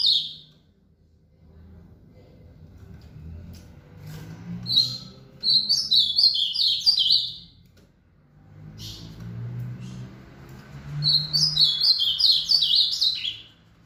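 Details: Ultramarine grosbeak, rally after an outing, repeating its song: two full warbled phrases of rapid, falling whistled notes, each about two and a half seconds, separated by several seconds of low room noise.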